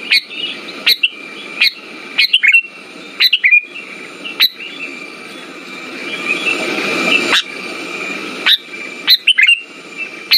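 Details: Kutilang, or sooty-headed bulbul, singing lure phrases to make silent birds sing: brief bubbly whistles at irregular intervals, and a louder rustling noise building mid-way before the phrases resume.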